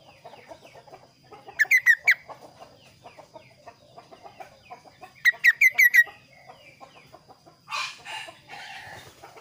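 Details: Lively kaso kaso singing a clear, varied song. Two separate bursts hold four or five rapid, piercing notes each, about four seconds apart. Soft chattering continues between them, and a rough, noisy rustle comes near the end.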